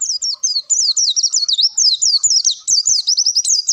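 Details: Long-tailed shrike showing its 'isian', the borrowed song material, as masteran training audio: fast, unbroken high twittering of looping up-and-down whistled notes with hardly any gaps, plus faint low knocks underneath.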